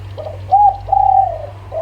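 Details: Brief local zebra dove song meant to coax other birds into singing: a few gentle, level coos, the middle one drawn out and slightly wavering, against a faint steady hum.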